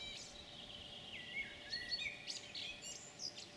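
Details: European pied flycatcher on 9 June 2019, singing sweet whistled phrases that slide downward, followed by short high chirps, amid a chorus of other birds and constant low background hum.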